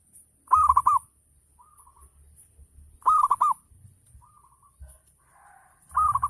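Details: Local zebra dove in full ngayer song, played to make other doves sing back: three rippling coo phrases roughly every two and a half seconds, softer brief coos between them, light low thuds in the background.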